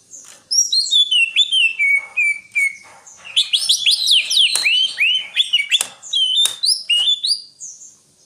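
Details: Greater green leafbird delivering a continuous, rapid stream of bright whistles, chirps and falling slurs, varied and energetic throughout, with occasional sharp clicks.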